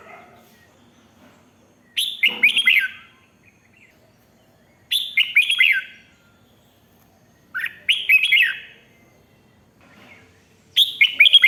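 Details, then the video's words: Red-whiskered bulbul in "rik" song, played back to rouse other birds: four short phrases of fast, bubbly, falling whistles, repeated about every three seconds against a quiet background. "เสียงนกกรงหัวจุก ร้อง ริก เปิดให้นกฟัง ยั่วให้นกคึกจัด chao mao"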